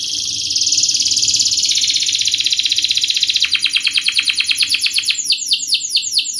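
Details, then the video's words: Canary singing a fast, dense song to lure and teach young canaries. A high, buzzy rolling trill runs for about three seconds, then rapid sharp repeated notes, ending in quick descending swept notes repeated several times a second. "Kenari gacor Speed RAPAT TAJAM ini ahlinya untuk pancingan kenari Paud belajar bunyi Cepat NgeroL"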